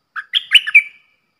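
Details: A captive Thai red-whiskered bulbul sings the rapid three-part phrase style for young birds to learn and to lure wild birds. It starts with a short chirp, then a quick, bubbly whistled phrase that trails off. No other sounds.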